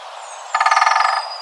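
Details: Great spotted woodpecker drumming territorially in the wild forest: one rapid roll of about twenty sharp knocks lasting under a second, over a steady background hiss.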